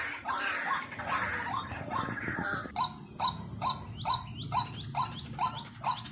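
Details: Lure recording of a white-breasted waterhen: a loud rough wash of noise first, then a rhythmic string of short harsh notes about twice per second with a nasal rising edge.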